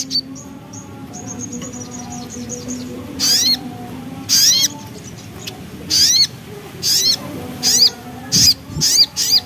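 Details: Javan black-capped babbler, locally sogok ontong, in ngriwik gacor song: faint high twittering at first, then loud sharp upslurred whistled notes at irregular intervals, quickening toward the end, over a low steady hum.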